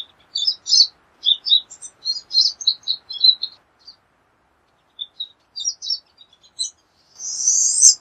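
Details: High twittering chatter from a pine siskin, clusters of quick chips for several seconds, a brief lull, more notes, then a rising buzzy wheeze at the end.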